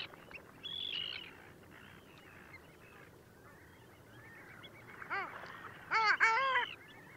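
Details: Long-tailed ducks at Liepāja, Latvia, in January 2024: faint distant calling early on, then a clear arched nasal note and a louder burst of yodelling calls near the end.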